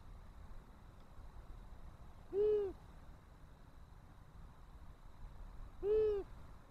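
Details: Near a nest that it seems interested in, a long-eared owl gives two soft, low, rounded hoots about three and a half seconds apart on 18 March 2024; faint constant hum behind.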